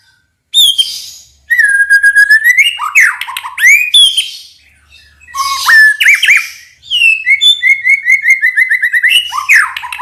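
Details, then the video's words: White-rumped shama singing as a training song for young speckled birds: a long rising whistle, harsh squawky bursts, then a fast series of clipped repeated whistles, strong and close. "PANCINGAN BURUNG MURAI BATU TROTOL AGAR BUNYI"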